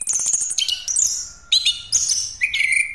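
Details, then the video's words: Rolling 'ngeroll' song of an orange-headed thrush, used to lure other birds: fast sequence of high, shrill whistled and trilled phrases, ending in a sustained lower whistle, delivered with little pause. "Anis Kembang Pastol Ngeroll Buat Pancingan"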